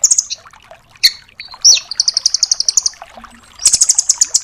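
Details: Velvet-fronted nuthatch (red-billed 'rambatan doraemon') in rapid 'tembakan' bursts, used as a tutor song for songbirds: high, sharp trilled notes in fast even series, a short buzzy slur, then another long quick trill.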